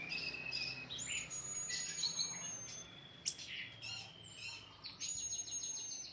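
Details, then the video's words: Kept orange-headed thrush, a songbird favoured by Indonesian bird-song hobbyists, delivering a varied, continuous song of clear high whistles, slurred upward and downward notes and scratchy twitters, fairly soft against a light background hiss. "ANIS MERAH"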